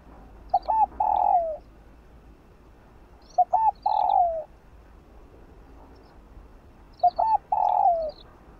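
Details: Spotted dove cooing at dawn to draw out newly caught doves, with three phrases roughly every three seconds. Each is two or three clipped notes followed by a long mellow coo that tails downward. Faint chirps from other birds are heard.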